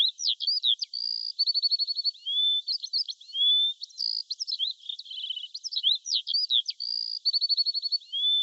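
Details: Morning birdsong of varied high phrases: sharp chirps, a steady tone, fast repeated ticking trills and smooth rising whistles, repeated as a loop of similar phrases in clean, quiet surroundings.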